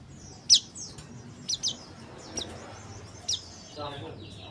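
A male Oriental white-eye gives thin, high chirps, single or in quick pairs, spaced about a second apart over a faint hiss.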